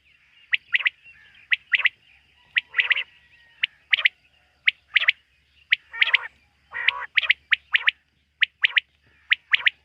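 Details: Quail calling by night: crisp staccato notes in quick groups of two or three, interspersed with rough rasping bursts, continuing rhythmically against a faint low hum.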